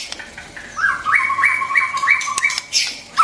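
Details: White-rumped shama song for training young birds and stimulating wild-caught ones: a short series of repeated upward-slurred notes, evenly spaced, with faint background hiss.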